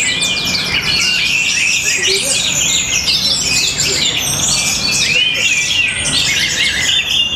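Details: Bali orange-headed thrush, Tabanan, noted for song rhythm, style and strong power, delivers a dense stream of bright whistles and rapid twittering notes, rising and falling without pause over faint low background noise.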